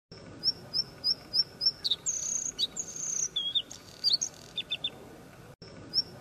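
A Bluethroat sings a run of clear, high, evenly spaced ticking notes, then a varied burst of ringing whistles, buzzy trills and falling notes, over a faint hiss.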